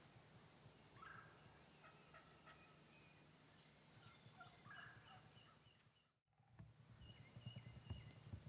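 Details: Eastern wild turkeys, a bearded hen and a young male jake, filmed in Pennsylvania on March 21, 2009. Faint turkey calls come in short bursts near the start and middle, over a steady low rumbling background.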